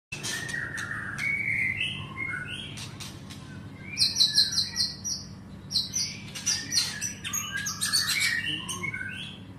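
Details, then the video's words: White-rumped shama singing: varied whistled phrases with rapid repeated high chips, slurred mid-pitched notes and buzzy bursts, fairly distant over faint background hum. "Murai Batu Pinggiran"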